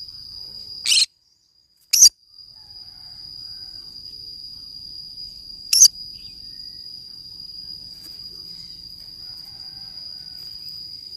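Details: Three sharp, rough screeches from a green-cheeked conure playing alone in the forest, two close together and one about four seconds later, set against a persistent thin, high insect-like drone.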